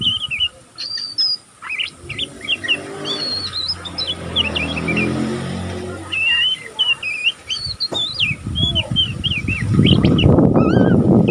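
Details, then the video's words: Juvenile oriental magpie-robin practising, an unbroken run of high twitters: jumbled chirps, brief whistles and wavering notes almost back to back, over a low droning hum and rising background rumble near the end. "burung kacer pastol ngeriwik pastol paud masih belajar pokal ngeriwik tanpa putus"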